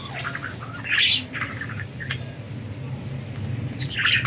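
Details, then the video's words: Budgerigars flying free give short bright chirps around one second and again near the end, over a steady low hum. "Budgies Enjoying Freedom and Chirping"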